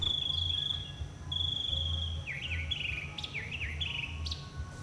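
Two long, steady high whistled notes give way to a fast run of varied, jumping phrases, each repeated a few times. A low rumble of background noise runs throughout.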